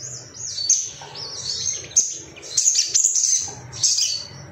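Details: Ruby-cheeked sunbird, an agitated bird looking for rivals, sings a rapid, very high-pitched tangle of squeaky twitters and trills in uneven bursts.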